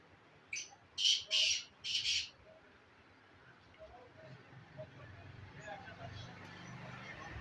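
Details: Black francolin recorded at Khushab, giving three loud, harsh, grating bursts within about a second and a half, followed by a quiet stretch of low background rumble and faint distant noises.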